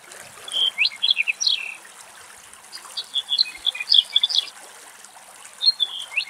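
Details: A male Black-headed bunting, filmed from very far away in strong wind somewhere in Greek nature, sings three short, bright jangling phrases of high chirps and trills, each about a second long, with quiet pauses and faint trickling water behind.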